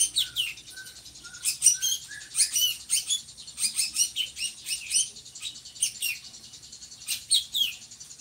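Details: Drongo, described as having a loud, monotonous voice and used as a master bird for teaching other birds; a few soft whistled notes open, then dense bursts of scratchy, high chattering chirps run throughout with short gaps.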